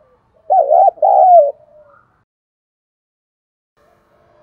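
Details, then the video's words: A single low, mellow two-part coo from a spotted dove, a short note then a longer falling one, in the 'thúc đấu' challenge style used to lure wild birds, followed by silence. "Thuc dau dong pha - kích bổi hiệu quả"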